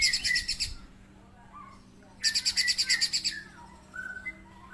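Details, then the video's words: Spiderhunter known locally as pijantung gunung gives two rapid, buzzy trills of high pulsed notes, about a second apart, followed by faint short whistles. "KICAUAN BURUNG PIJANTUNG GUNUNG"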